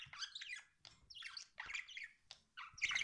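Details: A pet budgerigar gives quieter, rasping chirps in a few grouped bursts, with soft room noise underneath.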